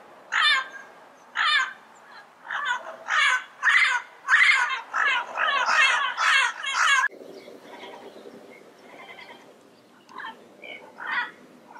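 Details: Wild yellow-headed parrots in their natural environment giving loud, harsh, raspy squawks, about ten in quick succession over seven seconds, followed by quieter, scattered squawks.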